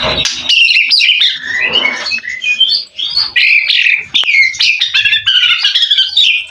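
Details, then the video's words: Mutant white-rumped shama singing a competition song filled with mimicry: fast, varied whistled and chattering phrases jumping between high notes, with squeaky and buzzy bits, almost unbroken for several seconds. "Burung murai batu mutasi isian lomba mental fighter"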